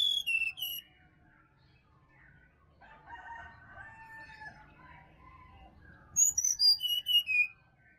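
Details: Sirdadu singing in a Bali forest, a morning lure for caged birds that stay silent: high, falling whistles open, then a quieter rambling warble in the middle, closed by five strong, sharp, descending whistled notes.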